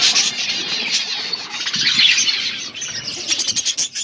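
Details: Many budgies in a flock chatter while eating food, perhaps in an aviary: a thick wash of overlapping chirps and warbles, with some brief wing-flap-like rustles near the end.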